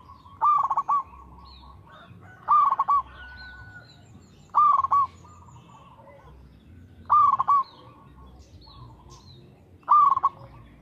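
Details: Local perkutut (zebra dove) singing steadily: five rolling coo phrases about two and a half seconds apart, each a soft held note ending in rapid pulses. Light chirps from other birds in the background.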